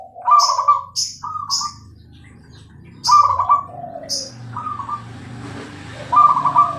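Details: Bangkok-type zebra dove singing actively: rolling trilled coos with falling low tails, overlapped by sharp high chirps from other birds, against a steady low background hum.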